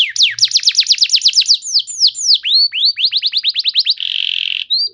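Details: Canary singing to get other canaries to answer: a rapid trill of descending notes, swooping whistles, a fast run of rising notes, then a buzzy rolling tone.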